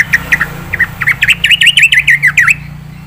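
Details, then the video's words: Yellow-vented bulbul, a lively full-isian singer. Loud, rapid, up-and-down slurred notes come in a tight series of about ten, each sharply dipping and rising, then stop abruptly. "burung trucukan gacor full isian"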